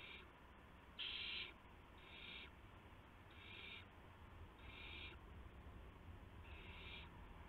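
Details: Nighttime nest scene from March 19, 2016, shortly after midnight, with adult owls bringing mice and a gopher to their owlets. Five rasping hiss-screeches, the first loudest, spaced about a second apart, over a low background hum.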